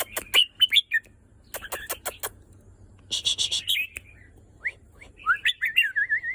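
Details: Red-whiskered bulbul song of clear whistled notes and a final wavering warble, alternating with rapid sharp clicks and a burst of harsh rattling noise.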